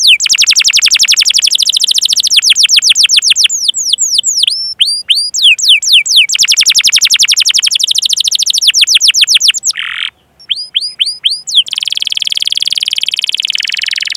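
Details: Long-running canary song played as a model to coax other canaries into singing, chiefly fast rolling trills of falling sweeps alternating with buzzy bursts and spaced arched whistles, ending in a steady, rapid pulsed roll.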